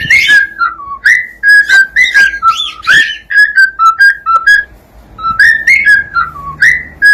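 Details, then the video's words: Cockatiel singing a loud, fast run of short whistled notes, stepping up and down in pitch and often rising at the start, grouped into phrases with a brief pause midway. "SOM DE CALOPSITA CANTANDO"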